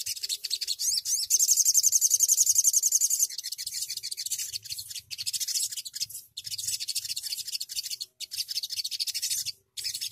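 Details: Rolling song of a sogok ontong bird: a shrill, very rapid trill of about three to four notes a second runs through the first three seconds, then gives way to scratchy high chatter broken by brief pauses.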